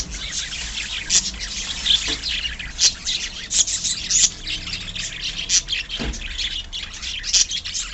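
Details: Budgerigar colony of pet birds calling: steady high twittering broken by louder sharp squawks every second or so, scratchy and chirpy, over faint low background rumble.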